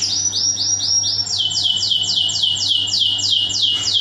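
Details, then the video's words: Canary master song meant to teach other canaries, delivered in 'full tembakan' fashion: a rapid roll of repeated high notes, then slower, loud, descending swept notes about four per second, over a faint low hum. "masteran burung kenari full tembakan"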